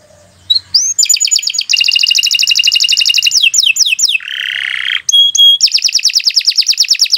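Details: Canary in full, long song: fast rolling trills, a run of falling slurred whistles, a lower grating buzz, a brief pure whistle, then another rapid high trill; a faint low noise at the start.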